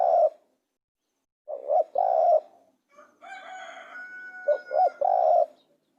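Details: Spotted dove coos come in three-part phrases of a short note, a double coo and a sustained low coo. A harmonic, crowing-like call from another bird rises over the middle of the recording.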